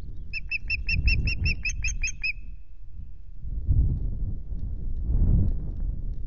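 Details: Osprey at the RSPB Loch Garten nest in Scotland, 26 May, recorded by a nest camera: about ten sharp, high chirping notes in a quick even run for two seconds, then only wind rumble buffeting the microphone.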